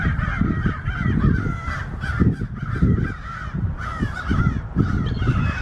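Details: American crows noisily mobbing a red-tailed hawk as it leaves; harsh, raspy caws come in quick overlapping bursts, roughly two each second, over a heavy low rumble of wind.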